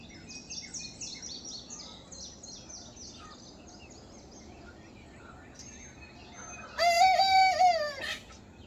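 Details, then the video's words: Young Silkie rooster learning to crow, kept with a backyard flock: after steady high chirping from other birds, a single short, strained, harmonic crow rises slightly and then breaks off. "Our Silkie Rooster Is Learning How To Crow!"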